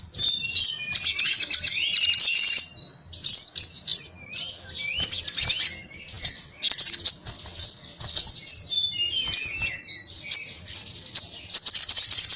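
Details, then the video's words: Little spiderhunter (sogon) in 'ngobra' fighting-style song: repeated shrill chattering phrases mixed with short looping and falling whistles, delivered in bursts over about twelve seconds. "sogon gacor ngobra TARUNG NGALAS TAJAM"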